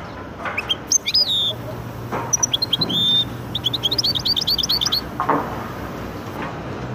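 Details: Goldfinch × canary hybrid giving a few descending whistles, then a lively burst of rapid high twitters and trilled notes lasting several seconds before falling silent, soft background hum throughout.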